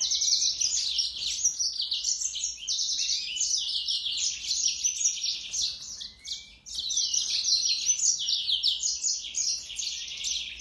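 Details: Sustained high warbling song of a yellow-fronted canary, rapid chirps and buzzy trills tumbling together in long rambling phrases, with a few rising whistled notes and a short dip in volume midway.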